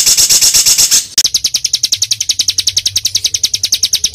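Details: Small songbird's dense training song for caged birds, full of varied rapid bursts: a sharp high chatter, then fast clipped high notes repeated about eight times a second without a break.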